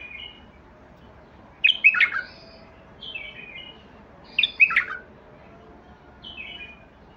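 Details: White-eared Bulbul song: loud bursts of rich, bubbling notes alternate with softer falling whistled phrases, the pair repeated about every three seconds, with a faint trailing phrase at the end.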